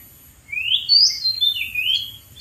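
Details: Wild Oriental magpie-robin singing from atop a dead tree: a rising whistle sweeping upward, then a run of clear, varied whistled phrases and slurred notes, moving up and down in pitch, with a faint steady hiss behind.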